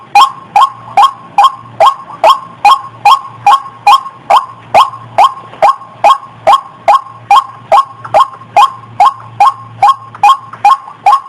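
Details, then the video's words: Breeding female white-breasted waterhen calling before mating, a long monotonous run of about 27 harsh nasal notes spaced evenly roughly every 0.4 seconds, steady low hum throughout. "Suara Burung Ayam Ayaman/Ruak Ruak Betina Lagi Birahi"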